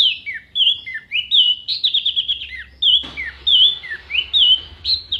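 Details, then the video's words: Orange-headed thrush delivering continuous loud, clear contest song rich in mimicry: varied whistled slurs rising and falling, with a brief trill and repeated looping whistles, phrases following almost without pause. "MASTERAN ANIS MERAH GACOR FULL ISIAN TEMBAKAN TAJAM VOKAL JERNIH DURASI PANJANG ISIAN BURUNG LOMBA"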